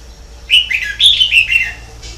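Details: Red-whiskered bulbul in continuous song: a quick run of four or five clear, warbling notes that dip and rise, delivered in two bursts about half a second apart. A faint low hum sits in the background.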